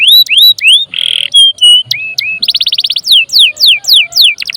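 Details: Canary singing loudly as a lure and song model for other birds: rising whistles, a harsh buzzy burst, flat whistled notes, a fast rattle, then repeated downward sweeps and quick pulsed phrases.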